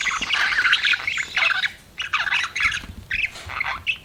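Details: Budgerigar kept as a pet, chirping in loud harsh chattering bursts, raspy and squawky, in groups of half a second to a second with short pauses between.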